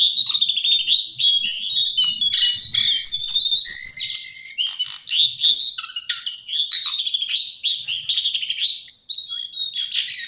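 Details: Lesser shortwing (cingcoang coklat) singing a continuous, rapid, jumbled warble of high, sweet, twittering notes with no real pauses over ten seconds.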